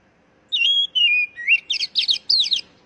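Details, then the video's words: Song of the oriental magpie-robin, meant to stimulate captive birds into full song. Steady whistled notes fall in pitch, followed by an upward slur and a fast series of tumbling, twittering high phrases with short gaps. "Pancingan Burung Kacer Agar Cepat Gacor"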